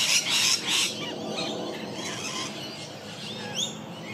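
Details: A wild rainbow lorikeet in Melbourne squabbling territorially with the camera operator, unprocessed Lumix G9 recording: three loud, grating screeches open the passage, then faint scattered chirps over quiet outdoor background.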